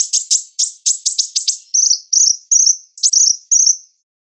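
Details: Sunbird song, used as training audio for songbirds: a fast run of sharp, high chirps followed by a series of buzzy, high trilled notes repeated about twice a second, then stopping.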